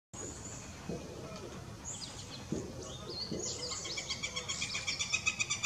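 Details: Northern flicker calling and drumming, seemingly to get attention: scattered high calls, then from about four seconds a rapid, steady series of loud pulses speeding into a drumroll, with other birds chirping faintly behind.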